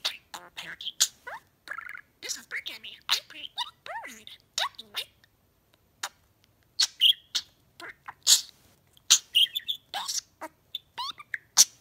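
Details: Pet male budgerigar (parakeet) chattering and talking, mimicking words he has learned, such as "my bird" from a song: a dense run of warbled chirps, rapid clicks and speech-like gurgled syllables, sometimes rising and falling.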